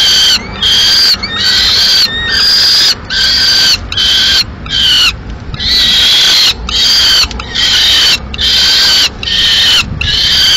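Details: Peregrine falcons, Madrid, 15 May 2016: the male arrives with a swift still alive, which the female kills; continuous run of harsh screeching notes, around seventy a minute.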